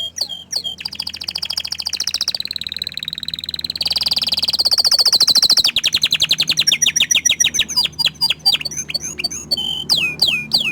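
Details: Song of an orange frost canary, shown off by the bird: fast rolling trills and rattling repeated notes shifting between phrases, ending in clipped, upward-flicking chirps, over a faint low hum.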